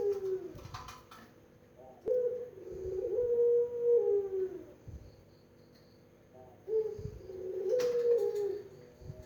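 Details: Melodious pelung-style Barbary dove cooing twice, each phrase a clipped first note followed by a long, smooth, slightly falling hum lasting about two seconds, with soft clicks between.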